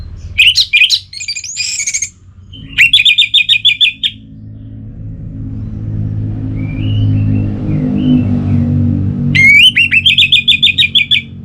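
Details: Orange-headed thrush, a cage bird from North Bali, sings loud bursts of rapid rattling, twittering notes separated by pauses, with a low rumbling hum between phrases and one soft whistle in the quiet stretch.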